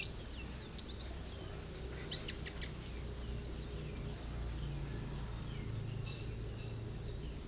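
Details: White-eye at a bird singing contest in Lerep, Karangawen, Demak, Indonesia, described as a winning, persistent singer: rapid high thin whistles and downslurred notes in quick bursts, with a steady low rumble of background noise.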